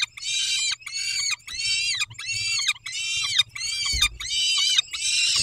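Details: Loud, rasping, harmonic peregrine falcon cries at feeding time on 19 May 2021, 11:48: eight even wails, each under a second, repeated steadily with brief pauses; a faint thud in the background.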